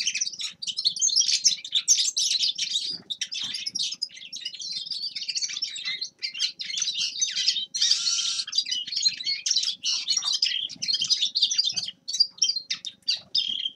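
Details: Grey-crowned goldfinch singing a long, continuous, rapid twittering song of buzzy trills and chirps, with brief gaps and a harsher burst near the middle.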